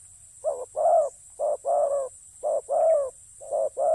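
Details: Spotted dove in decoy ground trapping repeats a rhythmic two-part coo: a brief note then a longer rolling one, four pairs roughly a second apart against a quiet background.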